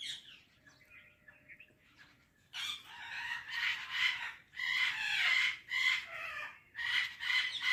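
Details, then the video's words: Indian parrot (mitthu tota), reportedly talking: faint scratchy notes at first, then loud grating squawks in rapid uneven bursts, some drawn out, continuing to the end. "Indian Parrot Talking Video | Mitthu Tota Ki Awaz"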